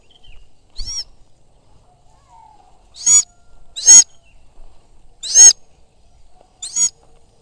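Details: A Sulawesi goshawk used for hawking, calling during a hunt: loud, piercing, descending screams, five in about seven seconds, some spaced closely, with near silence between them.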